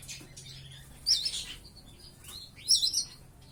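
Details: Five-month-old caged white-eye (pleci), just learning to sing, produces two bursts of high, warbling, twittering phrases about a second and a half apart, with quieter chirps in between.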